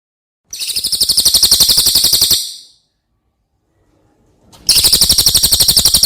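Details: Brown cililin, a bird from outside Java kept as a master singer for training other birds, delivers a long, loud, high rolling trill of rapid even notes for about two seconds, pauses, then starts another trill.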